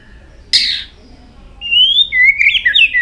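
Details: White-rumped shama, tail flicking nonstop, gives one harsh rasping note, a pause, then a smooth rising whistle running into a twisting whistled phrase.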